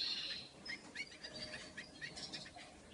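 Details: A hybrid of a male Lawrence's goldfinch and a dominant white canary hen twitters a quick, high run of short chirps and thin whistled notes, with brief bright trills throughout.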